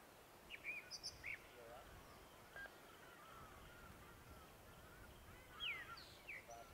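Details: Groundscraper Thrush perched atop a distant dead tree on a sunrise safari morning, 13 November 2016, giving short bursts of high, clear whistled notes and quick downslurs, in two groups a few seconds apart, over soft outdoor background noise.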